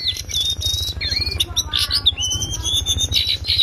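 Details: Cingcoang coklat, or lesser shortwing, singing a loud chattering ngriwik song for bird tutoring: thin high whistles, a swooping slurred note, and dense fast twitters, with a low regular throbbing background.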